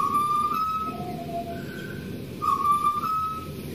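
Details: Wild pied butcherbird from Australia whistling slow, pure flute-like notes, a long steady tone, then lower and higher notes, then a brighter return after a pause; low rumbling background.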